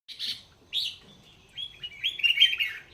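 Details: Red-whiskered bulbul kept in Thailand for singing contests, giving short scratchy phrases with pauses, then a bubbly warbling run of liquid notes toward the end.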